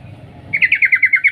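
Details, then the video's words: Female sooty-headed bulbul calling to the male: one brisk run of about eight sharp, evenly spaced 'cuk cuk' notes, beginning after a moment of quiet hum. "Suara trucuk Betina memanggil Jantan Cuk cuk"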